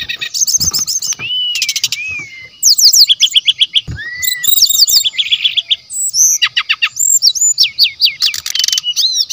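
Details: Lure song of a brown-chested jungle flycatcher, claimed to contain natural sounds: loud, almost nonstop medley of rapid rattles, arched whistles, repeated sweeping notes and chattering bursts, energetic and densely packed.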